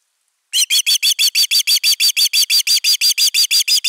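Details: Loud alarm whistles from an Osprey protecting its nest, 31 August 2021, nest camera: after half a second of quiet, a steady rapid series of bright, harsh-edged high notes runs on at about three per second without a break.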